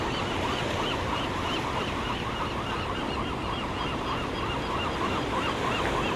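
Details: Black oystercatcher, a parent with a chick it feeds mussel meat to, giving quick, repeated piping whistles, about three a second, over a steady roar of surf and wind.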